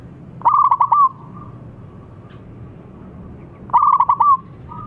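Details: Local Indonesian zebra dove calling loudly to provoke replies: two bursts of quick staccato cooing notes, each a rapid run of about five clipped coos ending in a drawn-out note, separated by a few seconds of quiet background hum.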